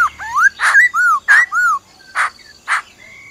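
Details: Black-throated laughingthrush forest song with a female's rolling trill. Slurred, rising and falling whistled notes come rapidly, mixed with sharp clicks, followed by two more isolated snaps and a faint thin whistle.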